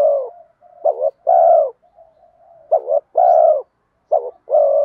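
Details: Decoy spotted dove in 'giọng đồng' urging voice, calling wild spotted doves in: three phrases of a wavering double note then a full, level coo, with a soft drawn humming note between them.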